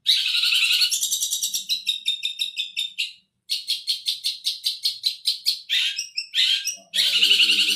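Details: Rasping buzzy rattles and evenly spaced staccato pulses from a long-tailed shrike singing Tengkek Buto material, with a brief gap and a final harsh burst.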